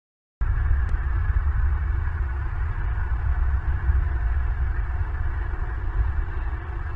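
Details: After a short silence, a constant loud low rumble like wind or machinery fills the rest; no animal sound.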